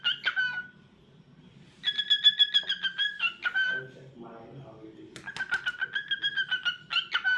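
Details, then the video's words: Cockatiel chatter: fast trains of short whistled pulses at a steady pitch, broken by rising and falling notes, with a raspy buzzy patch in the middle. A faint low hum runs underneath. "Adorable Cockatiel Crazy Bird 🐦 Cute Sounds n Movements"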